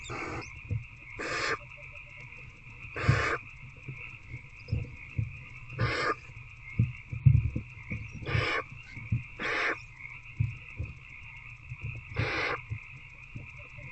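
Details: Adult barn owl with an older owlet in a nest box, night of 19 February 2024, rat feeding: short, sharp hissing screeches recurring irregularly about every 1 to 2 seconds, with soft bumps and a constant droning background.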